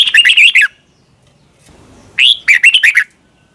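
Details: Two bubbly whistled phrases from a Red-whiskered bulbul in the Thai doubled เบิ้ล style, heard on a recording for young birds to learn. The phrases are about two seconds apart, with a quiet rustle between them.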